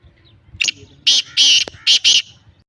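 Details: Lakka black francolin calling loudly: five coarse, rasping notes in a rhythmic grating phrase, with faint low background noise.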